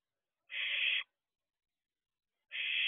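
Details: Barn owl owlet outside its owl box before dawn, 4:31 am: a harsh, hissing screech of about half a second, then silence, then another identical rasping hiss beginning two seconds later.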